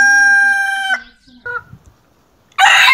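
A rooster's loud, brassy crow holds steady and then breaks off abruptly. A brief squawk follows, and a second crow begins as the sound ends.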